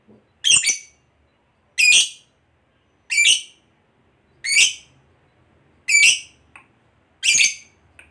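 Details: Lovebird calls from a recording meant to provoke other lovebirds: six sharp, harsh squawking chirps, each brief and evenly spaced about every 1.4 seconds, with quiet gaps between.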